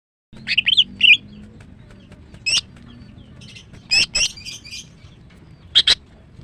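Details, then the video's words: Female greater green leafbird singing in the morning: bright whistled phrases at the start, then scattered sharp upward notes and brief buzzy bursts separated by quiet gaps. "TERAPi MACET BUNYI dengan CUCAK IJO BETINA"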